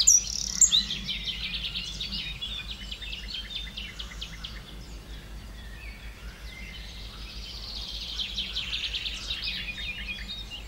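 Eurasian wren singing long, high bursts of rapid trills and sharp notes, one running several seconds before another begins, over a faint low hum.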